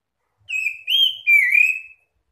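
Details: Oriental magpie-robins answering each other's song to call other magpie-robins: three loud, clear whistled notes in quick succession, the second rising slightly, the last dipping then rising and drawn out.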